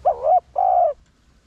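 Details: A spotted dove, a decoy bird used to lure wild doves, gives two low, hollow coos in quick succession, the second longer and steadier, then falls silent.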